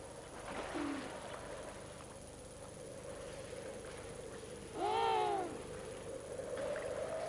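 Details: Emperor penguin at Cape Crozier, Ross Island, Ross Sea, Antarctica, at summer's end on the pack ice, gives one loud, arched, harmonic trumpeting call under a second long, after a fainter note, over a steady background hum.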